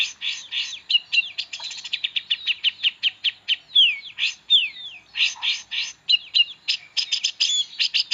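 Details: Long-tailed shrike (pentet) singing a varied, rich song, used for tutoring magpie-robins. It is a jumbled run of short chips, clicks and sharp downslurred whistles, delivered quickly with small irregular gaps.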